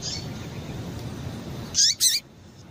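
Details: Two rapid, harsh, high-pitched chirps from a female Double-collared seedeater, each with a short downward slur, given back to back near the end after a stretch of low background noise. The call is meant to stimulate males.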